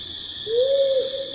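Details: Powerful owl (Ninox strenua) hoot played at a workshop: a single low, mellow hoot that swells slightly upward and lasts about half a second, over a steady high electrical hum in a room.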